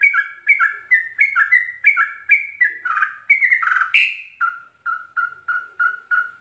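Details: Sooty-headed bulbul singing 'ropel' song with full fill-ins, used as training master for captive birds: fast alternating chirps, a louder rising flourish midway, then a steady row of identical low whistled notes.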